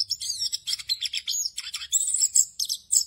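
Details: Dense, continuous warbling from an orange-headed thrush in 'ngerol' style with many fill phrases, used for training birds. Shrill twittering and trilled notes overlap closely, with a faint low hum underneath.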